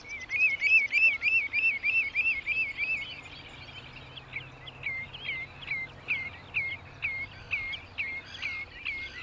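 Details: Common redshank giving a long rhythmic series of clear, piping notes, first in a fast bouncing run, then as slower, separate downslurred 'tyoo' calls about twice a second, over soft background noise.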